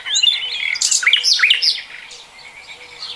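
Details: Common nightingale singing in 2020: a rich burst of varied whistled and buzzy phrases with sharp rising and falling notes, loud for two seconds before softer notes trail away.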